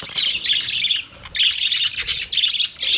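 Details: Budgies chatter for a lonely companion bird: bright, buzzy warbled phrases break off briefly, then return as quick high chirps and scratchy trills.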